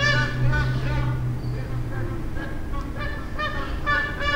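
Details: Magpie geese in Darwin, drawn to irrigated greens at the end of the dry season: rich nasal honks repeated about every second, several birds overlapping, above a steady low hum.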